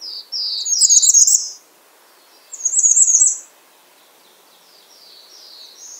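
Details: Bay-breasted warbler giving two loud phrases of high, thin, slurred notes with a jittery top, about two seconds apart, followed by a fainter, more distant run of similar notes.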